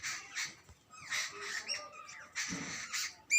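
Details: Jungle babblers, young and adult birds together, giving rasping squawks mixed with thin rising and falling squeaks, calls overlapping in quick irregular bursts.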